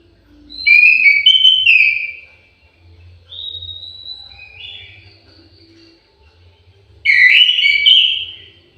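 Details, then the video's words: Melodious song of an orange-headed thrush housed in an aviary: a loud whistled phrase with downward slurs, a softer sustained whistle in the middle, and another bright phrase at the end. "KICAU MERDU BURUNG ANIS MERAH"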